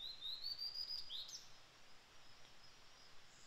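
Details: A wild Blue-and-white flycatcher in Japan in late May gives a thin, high whistled phrase lasting about a second, rising slightly and ending in a short note, over a steady low background hiss.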